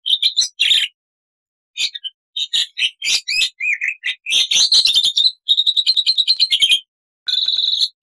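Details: A black-winged myna sings a lively, varied, chattering song of high whistles, harsh squawks and rapid trilled runs in long and short bursts, with brief silent pauses.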